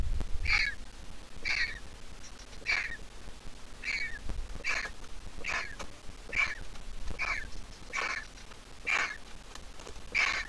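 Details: Griffon vulture nestling, hatched 20 April 2023 from the Jerusalem Biblical Zoo and now all grown up, giving a steady series of short, wheezy squeaks, roughly one per second, eleven in all, over a low rumbling background.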